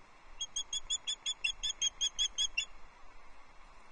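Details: Female osprey on her Loch Arkaig nest, 6 July 2024, calling repeatedly to a mate who stays silent; a rapid series of about thirteen shrill, sharp chirps over steady background hiss.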